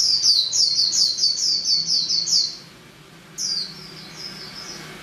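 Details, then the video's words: A female white-eye gives a quick, piercing high twitter of evenly repeated chirps for over two seconds, falls silent, then adds a brief, softer trailing phrase. "SUARA KICAU BURUNG PLECI BETINA"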